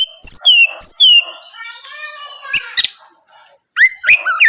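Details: Morning lure song of an Oriental magpie-robin for drawing replies from rivals: clear descending whistles, a softer warbled passage, sharp clicks, then rising whistled notes.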